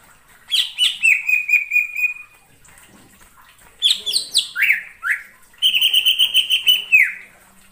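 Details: Cucak ijo lure recording for bird trapping: three energetic phrases of sharp chirps leading into fast, even, buzzy trills, with a pair of loud downward-swooping notes between, separated by short pauses.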